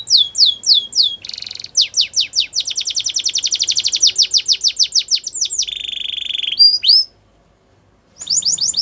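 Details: Spanish Timbrado canary song used for training: fast rolling trills of repeated high notes, a buzzy metallic roll, then descending whistled sweeps, a brief pause and renewed trilling.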